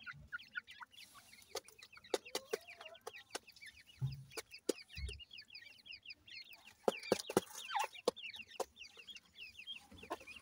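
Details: Several grey francolin chicks (Dakhni teetar) held captive in Multan, Pakistan, peep rapidly in thin, high, slurred notes, repeated many times a second, with sharp tapping clicks and occasional low thuds.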